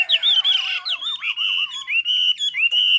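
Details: Song of a Chinese hwamei from Ha Giang: bright, high whistles and a wavering, rippling trill that slides gradually lower, followed by steady ringing whistled notes repeated in quick succession.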